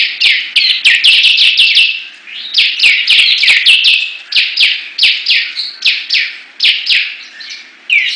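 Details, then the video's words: Bar-winged prinias in a singing battle between competing birds, delivering vigorous song: rapid runs of high, downslurred chirping notes, several per second, with short pauses and overlapping phrases throughout. "Perang Ciblek Gacor"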